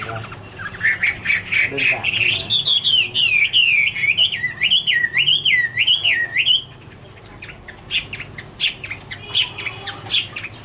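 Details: Chinese hwamei (Garrulax canorus), autumn singing: a long rolling trill of looping, wavering whistles for several seconds, followed by scattered sharp chips and quieter notes.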